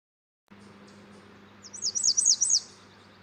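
A female warbler sings a brief, very high run of about six quick zigzag notes in one second, over a low steady hum.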